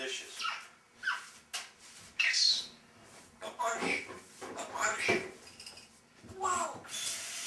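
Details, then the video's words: Pet African grey parrot, Tui, talking in a small room: short speech-like phrases such as "Ring a bell" and "I'm busy", mixed with sharp whistles and squeaks, about one burst every second or two. "Talking African Grey Parrot having a Conversation"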